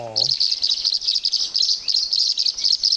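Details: Tree Swallows twitter in a steady stream of quick, liquid, high chirps, several each second. A man's voice is heard briefly at the start.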